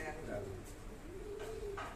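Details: Common hill myna (Gracula religiosa) talks in a low, hoarse, human-like voice, two drawn-out syllables with rising and falling tone, in a small quiet room; speech mimicry; common hill myna.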